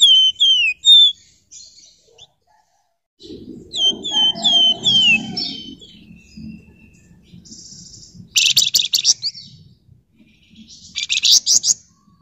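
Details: Golden-bellied Gerygone, locally flamboyan, singing dense 'ngebren' with 'nyerecet' chatter as a lure: falling whistles repeated in quick bursts, then loud rasping, buzzy rattles near the end.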